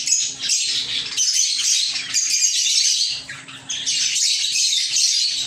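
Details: Caged lovebirds in a small aviary chatter in overlapping shrill chirps and squeaks, with brief drops in volume between loud stretches.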